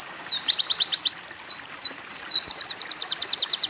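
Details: High Oriental white-eye song mixing canary and sunbird phrases, a few sharp chirps, two looping whistles, then a brisk even series of rapid repeated notes to the end.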